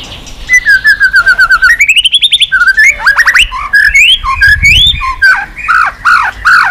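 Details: White-rumped shama flicking its tail on a cage perch, its song used to rouse other shamas: a steady stream of quick notes, a rising whistled sweep, then varied bright, looping whistled phrases.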